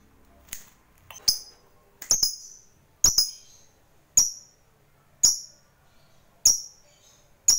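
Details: Lovebird used as a lure to make other lovebirds sing: sharp, high, clipped chirps repeated roughly once per second, each fading quickly, over a quiet background.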